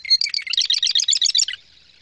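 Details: A male Marsh Wren, a tiny bird that hides in tall grasses and reeds and shakes as it sings, gives a rapid, rattling trill of about a dozen buzzy, scratchy notes in under two seconds, high-pitched and loud, with no other sounds.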